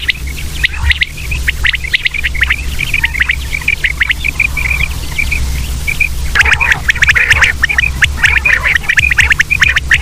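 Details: Several common quail (batair) calling together: rapid sharp notes and short chirps in ragged bursts, swelling into a thicker chorus in the second half, over a constant low drone.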